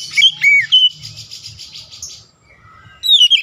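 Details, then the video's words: Oriental magpie-robin roused by a rival, giving a few loud whistled slurs, then a soft buzzy chattering passage before a final falling whistle. "PANCINGAN SUARA KERAS | KACER LAWAN LANGSUNG NAIK EMOSI BONGKAR ISIAN"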